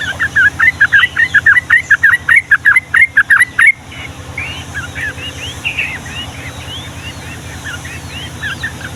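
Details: Yellow-vented bulbul pouring out long ropel song in the Ngombak Banyu style: a rapid string of about fifteen loud, bubbly chattered notes over nearly four seconds, then softer chatter and whistles with a low hum.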